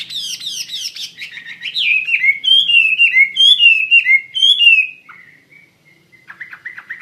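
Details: Chinese hwamei in lively song, for use in training other birds: rapid scratchy high notes, then loud clear whistles sliding downward about three per second, fading into soft trailing whistles and a short chattering phrase.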